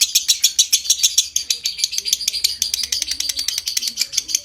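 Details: Lovebird long ngekek trill to stimulate breeding condition, heard as a continuous fast raspy chatter, roughly three pulses per second, with a low hum in the background.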